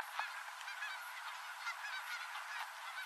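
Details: Distant Canada geese gathering on Oregon's Rogue River at day's end; a continuous murmur of overlapping honks from many birds.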